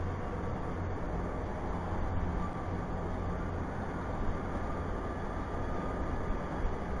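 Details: Continuous low rumble, like traffic or a passing train, with a faint steady tone. No calls from peregrines, pigeons or other animals are heard.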